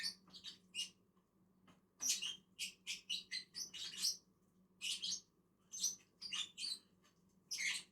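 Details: Two feeding lovebirds on a tree chatter with dense, rapid, shrill chirps, bursts following each other almost continuously after a short lull.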